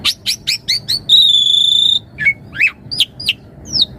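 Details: Varied song of a Javan pied starling, meant as a master song and lure for starlings: quick high chirps, then a long steady pure whistle lasting about a second, followed by sharp swooping whistled notes.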